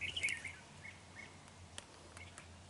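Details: Red-whiskered bulbul decoy bird, large-bodied with a dark bib, singing during trapping on 31 January 2019: a quick warbled phrase of bright notes opens, then only faint clicks and low background hum.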